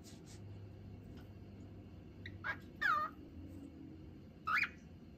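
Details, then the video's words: Pet cockatiel chattering and whistling: a few short rising and falling whistled notes, clear and tonal, separated by quiet gaps. "【オカメインコのおしゃべり】「かわいい」と口笛 /Cockatiel's chatter and whistling"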